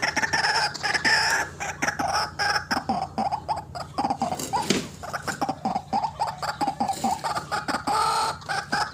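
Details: White-breasted waterhen, a recording used to lure birds for trapping: rough, nasal croaking notes repeated in uneven bursts, with short clicks between them.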